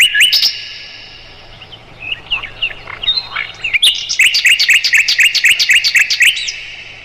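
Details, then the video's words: Mugimaki flycatcher singing, meant for tutoring songbirds like the shama. A brief chirp burst, then scattered soft slurred notes, then a long, fast rattle of evenly repeated high upslurred chirps lasting nearly three seconds. "MASTERAN SIKATAN LONDO"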